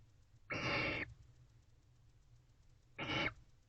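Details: At 3:27 am on 3 October 2023, a male barn owl inside a nest box calls fervently to a female. Two rasping, breathy screeches about half a second each, roughly two and a half seconds apart, over a faint low hum.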